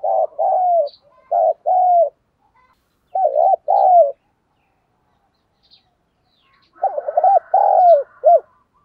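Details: A decoy spotted dove coos loudly to lure wild doves, singing its full song: clusters of short and longer mellow coos, a pause of about three seconds, then a final busier phrase.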